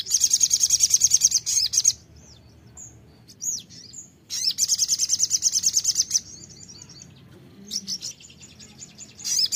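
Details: Sogon (ruby-cheeked sunbird) song used as a lure to prompt another bird to sing: bursts of very high, fast buzzy trills separated by silences with a few thin, down-slurred whistles in between.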